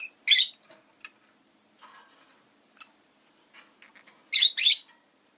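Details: Rosy-faced lovebird chirping: a loud, harsh chirp at the start, scattered faint scratchy notes, then a loud double screech near the end.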